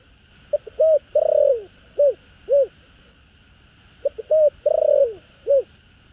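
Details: Cooing of a spotted dove in the field style, calling two females: two short soft coos, then a drawn-out falling coo and two more rounded notes, the phrase given twice over a faint constant background hum.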